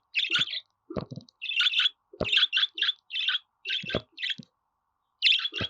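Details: Budgerigar warbling continuously, a dense run of scratchy chirps, squeaks and chattering notes broken by sharp clicking sounds, with only brief pauses.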